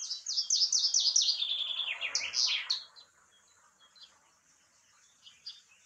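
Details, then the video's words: A common chaffinch sings one bright, rattling phrase of descending notes that speeds up and ends in a flourish, followed by quiet with faint distant chirps. "Vogelstimmen: der Buchfink"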